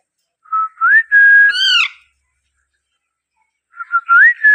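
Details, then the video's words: A baby Alexandrine parakeet gives two short phrases of clear whistled notes that rise and hold, with one brief buzzy, harmonic note between them, the phrases separated by a pause. "cute baby Alexander parrot 🦜❤ parrot natural sound"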